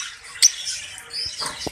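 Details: Budgerigars in cages in Pakistan in the summer heat keep up a soft high chatter, with a sudden sharp click and some low knocking sounds.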